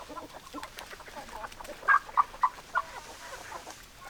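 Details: Hens and roosters: low murmuring clucks, then four loud, clear clucks in a row about a third of a second apart before quieter clucking resumes.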